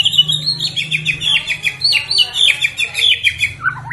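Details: White-rumped shama, fighter type, in fighting style: a steady stream of harsh scratchy chirps in quick succession, over a faint low hum.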